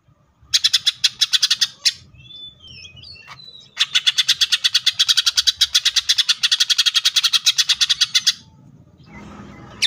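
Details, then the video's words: Greater green leafbird, locally cucak ijo, in full tembakan: a rapid rattling burst, a few squeaky whistles, then a long rattle of very fast, regular buzzy notes lasting over four seconds. "CUCAK IJO FULL TEMBAKAN"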